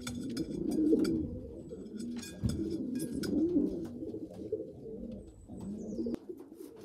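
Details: Young pigeons indoors, a poorly developed youngster feeding bigger nestmates; low, wavering churring and squeaky begging notes run continuously, with scattered clicks and rustling throughout.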